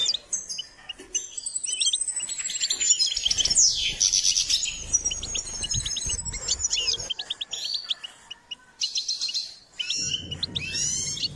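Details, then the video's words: Goldfinch singing while being stimulated to sing: a thin, high drawn-out whistle runs through a stream of quick chirps and trills, followed by brighter twittering bursts and a low rumble near the end. "Step by step enhancing the goldfinch’s singing"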